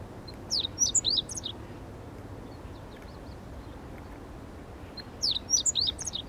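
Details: Soft meadow bunting song outdoors: two short bursts of high, jerky chirping notes, the first near the start and the second about four and a half seconds later, with quiet background noise between them.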